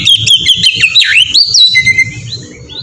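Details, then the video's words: Melodious ngeplong singing by an Oriental magpie-robin, used to coax other magpie-robins into song. Short clear whistles and a dipping slurred note, followed by a longer level whistle that trails off softly. "suara burung kacer ngeplong merdu sangat ampuh buat pancingan kacer bahan bikin cepat gacor"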